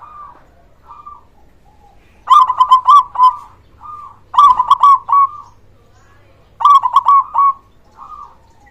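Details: Local zebra dove with a loud voice, used to stimulate quiet doves to sing: brief soft coos, then three loud phrases of rapid stuttering notes ending in a drawn-out coo, each phrase about a second long.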